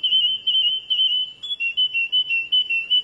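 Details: Canary song made of rapid, evenly pulsed whistled syllables at a steady high pitch, about two or three per second, forming a rolling trill with little pitch change and a clear, quiet background.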